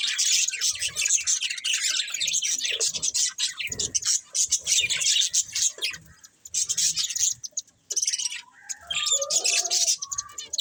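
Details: Budgerigars twitter and chatter in rapid scratchy bursts, with a few lower squawks and short whistled notes toward the end.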